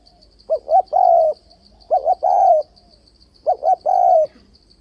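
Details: Spotted dove call used as a lure for dove traps, varied delivery with continuous 'bo': three repeated phrases, each two short rising hoots followed by one long wavering coo, roughly every one and a half seconds, faint high pulsing tone underneath.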